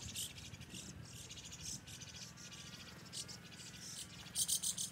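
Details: White-cheeked starlings feeding, quickly devouring food, give harsh, grating, rasping calls in quick irregular bursts, louder and thicker near the end, over a low background rumble.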